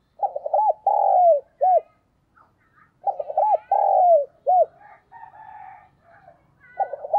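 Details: Caged decoy spotted dove calling in the 'đồng pha thúc' style, 'gáy gọi': two full phrases about three seconds apart, each a stutter of short low notes, a long drawn mellow coo and a brief final note, with soft chirps from other birds between.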